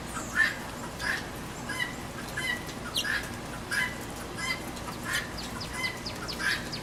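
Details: Guinea hen squawking loudly at a backyard feeder in the rain: harsh, broadband squawks repeated about every two-thirds of a second in a steady run, over a constant hiss of falling rain.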